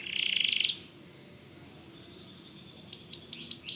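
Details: White canary in vigorous song, meant as tutor material for magpie robins: a dense buzzy trill, a quiet pause, then crisp high notes repeated about four times a second, getting louder.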